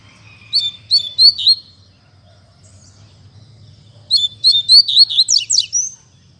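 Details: Double-collared seedeater in Mack song style, a caged bird singing well: two bursts of rapid high whistled notes with downward slurs, about five notes each, separated by a pause of over two seconds.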